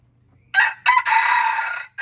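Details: Red junglefowl giving a loud crow: a sharp first note, a short second, then an extended coarse note lasting nearly a second, with the start of another note cut off at the end. Faint hum behind.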